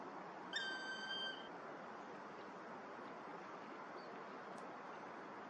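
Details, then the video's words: A black woodpecker at Vrieselhof, Oelegem, on 14 January 2022 gives one long, plaintive, drawn-out note of about a second over a steady wash of wind or distant traffic. "Zwarte specht laat zich horen"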